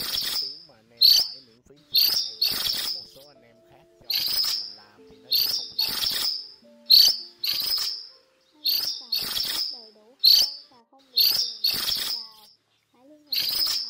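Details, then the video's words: Cuckooshrike gathering its flock with rasping, broadband shrieks. Many calls come in quick doubles, separated by short pauses, over about fourteen seconds. Soft, lower wavering bird notes sound between them. "Tiếng Chim Phường Chèo Trắng Lớn , Chim Chèo Bẻo Trắng Đầu Đen Gọi Bầy"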